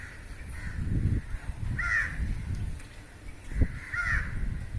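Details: Crows caw while a flock catches flying insects in the air; two clear harsh caws stand over heavy low rumbling and thumping noise.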